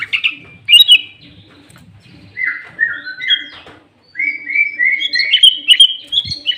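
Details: Sooty-headed bulbul in full song, used as a lure for catching bulbuls. It gives a set of clear whistled phrases, some falling, others in a quick run of rising notes after a brief silence.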